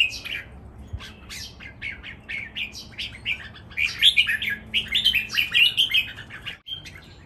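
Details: A caged red-whiskered bulbul in a three-bird contest delivers a spirited counted-phrase master song: a steady run of short slurred whistles that grows louder and faster into a rich warbling burst before stopping.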